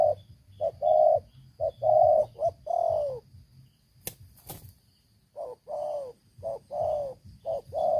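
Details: Spotted dove, an old decoy bird with a big voice, cooing in deep, hollow phrases of short and drawn-out notes, broken by a pause with a sharp knock midway, then resuming.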